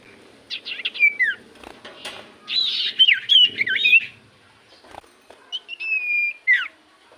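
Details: Common iora song used as a lure to make other birds sing back: bright whistled phrases with bending, falling slurs, delivered in bursts separated by short pauses, over faint low background rustle.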